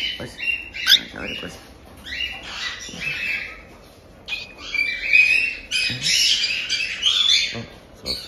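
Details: Month-old cockatiel chicks at a breeder in Tokachi, Hokkaido, give raspy jaa-jaa begging cries: harsh, hissing bursts that overlap and swell irregularly, with faint talk in the room.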